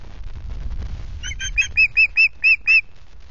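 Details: A great tit at its nest at RSPB Loch Garten on 17 July gives a quick run of about six short, high, slightly buzzy notes, four or five per second, after a soft rustling start.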